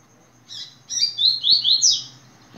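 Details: Yellow-bellied seedeater in tui-tui song: a buzzy first note, a brief pause, then a series of high, sharply slurred whistles that grow louder and climb to a bright closing pair. A faint click and a low hum sound behind.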